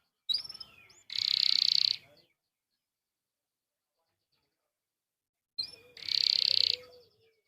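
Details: Canary singing to stir other canaries into song: two short bursts, each a few sharp notes and then a dense buzzy rolling trill lasting about a second, separated by several seconds of silence.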